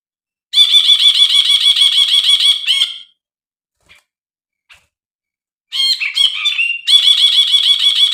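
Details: Brinji bulbul, used as a training and lure recording for birds that have stopped singing. Fast rasping notes repeat about six per second in a long bright chatter, then a pause, some squeaky varied notes, and the chatter again.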